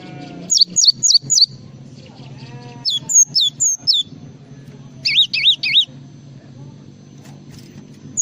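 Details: Java sparrow in full isian song: a series of short bursts of four to five high, sharply falling whistled notes. Some notes have wavering, looping shapes, and the bursts are separated by brief gaps over a steady low background hum.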